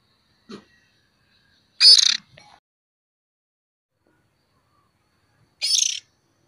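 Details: Oriental magpie-robin fledgling, used as a lure, making two coarse, scratchy, buzzing calls about four seconds apart, with soft ticks around the first call.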